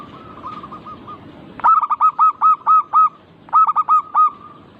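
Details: Local zebra dove, used as a lure to prompt other doves to sing. A soft run of even cooing notes is followed by two loud bursts of about six quick, rolling, bubbly coos, with a short pause between them.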